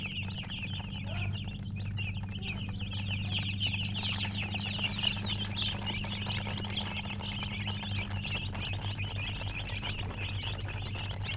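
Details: Crowded baby chicks keep up a continuous high peeping chorus, many quick chirps overlapping, while a steady low electrical-sounding hum runs throughout.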